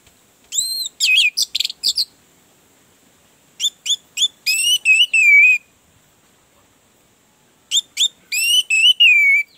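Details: Orange-headed thrush singing, a sound meant to coax a silent bird into song: three phrases of clear, high whistled notes, each a rapid run of short tones ending in drawn-out slurred whistles, separated by pauses of about two seconds.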